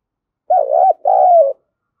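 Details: Spotted dove coo, used to stir a decoy bird into cooing quickly: two mellow low phrases, a wavering first note then a longer, gently falling drawn-out coo, with a clean silent background.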